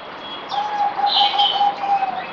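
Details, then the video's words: Merbok or zebra dove on its fourth day of a deworming course, 17 April 2020, giving a continuous string of quick, even, bead-like coos at a steady low pitch, overlapped by a brighter chirp from another bird. "Merbok Zebra Dove"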